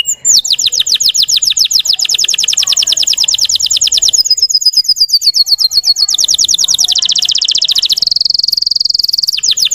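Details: Russian-type canary singing a lure song meant to stir up young trainee canaries: a long run of rapid downslurred whistles, shifting into a smooth steady roll, then more quick slurred notes and a high buzzy tour.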